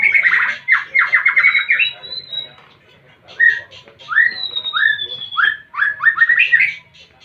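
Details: Singing white-rumped shama in breeding condition: bursts of rapid rising whistled notes alternating with thin high drawn-out whistles, phrases separated by short pauses.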